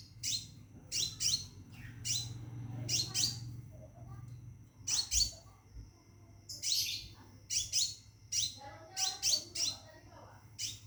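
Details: A scarlet minivet in a cage calling to a female for mating: bright, sharp downslurred notes in quick pairs and triplets separated by pauses, over a low room hum and a steady high tone.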